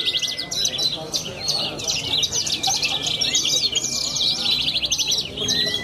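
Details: In Cilacap, Indonesia, a young bushlark that wins songbird contests rattles off quick, high chattering phrases in a continuous flow. A faint steady tone sounds at the start and end, with low murmuring voices throughout.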